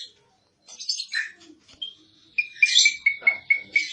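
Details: Softer Asian pied starling (jalak suren) song: scattered chirps and a thin whistle, then a short sequence of sharp clipped notes repeated about every quarter second.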